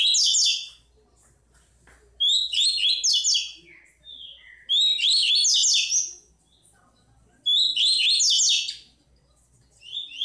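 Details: Chestnut-bellied seed finch singing the Tui Tui song: four dense bursts of shrill, rapidly jumbled whistles roughly every two and a half seconds, with quiet gaps and a soft short note between.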